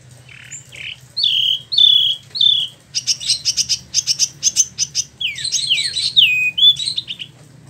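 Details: Captive spot-throated babbler, a young bird kept about a year and newly moulted, imported from mainland China or Vietnam and kept in Bandung, Indonesia, singing clear slurred whistles followed by rapid buzzy trills and further whistled phrases, faint low hum beneath.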